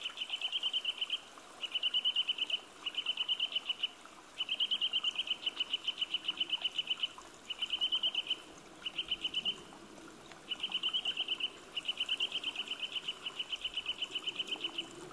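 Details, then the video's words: A Eurasian nuthatch gives its spring-heralding call, fast, even trills of high piping notes in bursts of about one second, repeated about eight times, with a faint background hiss. "ゴジュウカラ・春を告げる鳴き声 Eurasian Nuthatch"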